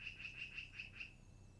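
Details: Long-eared owl at the nest, recorded 10 August 2018 in the early afternoon: a quick run of six short, high, squeaky notes, evenly spaced, over a steady background hum.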